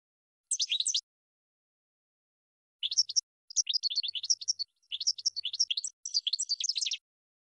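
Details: Goldfinch song used to train cage birds: a short tinkling burst, a two-second silence, then several linked phrases of rapid, bright twittering notes with brief breaks between them.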